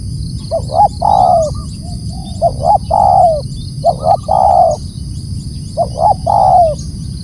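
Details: Spotted dove giving loud calls: four cooing phrases, each a couple of short clipped notes then a drawn-out descending coo, repeated roughly every one and a half to two seconds over a low steady background hum.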